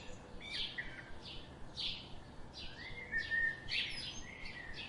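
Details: Garden birds seen daily chirp in loose sequence, with bright downslurred chips and a longer level twitter toward the end, over faint background hiss.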